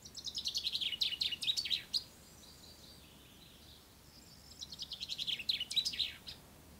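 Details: Common chaffinch singing at dawn on the first day of spring in poplars along the banks of the Ucero river; two bright descending rattling phrases of rapid notes ending in a flourish, separated by a pause with faint distant bird calls.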